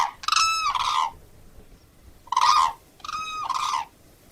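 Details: Crane bugling with three resonant, rolling trumpet notes, the first long and the last two closer together, with brief silence between them.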